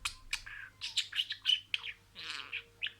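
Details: Budgerigar speaking imitated words: short raspy syllables and clicks, a few thin whistled notes, then a softer buzzy phrase before a final chirp.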